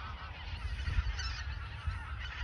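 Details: Many geese clamoring at the Ochsenmoor reserve in autumn 2022, shortly before their southward migration; a continuous mass of overlapping honks, with some louder calls standing out, over low wind noise.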